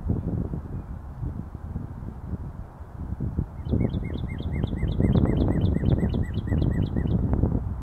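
A Northern cardinal sings a quick run of clear, down-slurred whistles, about two per second, over a steady low rumble of wind or distant traffic.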